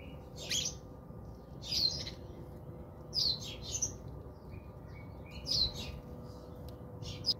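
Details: House sparrows chirping while bathing at a home in South Africa; clusters of sharp, high chirps come in quick pairs and bursts, with a steady low hum beneath.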